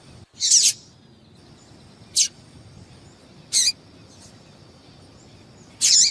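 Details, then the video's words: Calling female yellow-bellied seedeater, whose notes are used to stir up males kept for song contests; a buzzy chirp followed by several sharp, high, clipped notes spaced one to two seconds apart. "Piado de Fêmea de Papa capim Para Esquentar papa capim"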